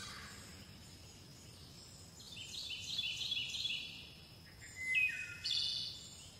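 Chickadees give high, thin chips and short buzzy notes, then a clear falling whistle and another buzzy burst near the end, over a faint steady hiss.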